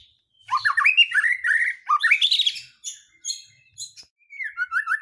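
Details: White-rumped shama singing a lure song meant to excite other birds into emotion and pouring out their fill-in repertoire; a varied run of clear whistles and slurred notes, a short lull, then a softer series of descending whistled notes.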